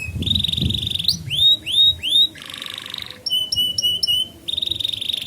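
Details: Young-canary training song, also a lure for birds that stopped singing: a steady high trill, then looping rising whistles, a broad buzzy rattle, bursts of sharp chips and a closing pulsed trill.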